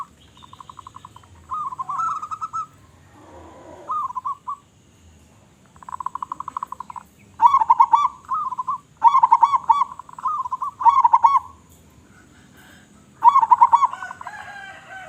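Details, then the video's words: A local zebra dove sings actively with a loud voice, giving repeated short bursts. Soft ticking coos alternate with loud, rapid, stammering phrases, about eight phrases separated by brief silences. "Perkutut Lokal Gacor Suara Besar"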